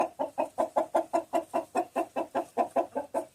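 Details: Chicken clucking in a steady run of low, throaty pulses, about two or three every second, evenly repeated with no other sounds.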